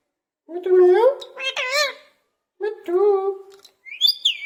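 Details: Pet parrot in a cage copying a cat, with two drawn-out, lower-pitched meow-like wails that rise and fall, separated by silence, ending in a short high squeaky note.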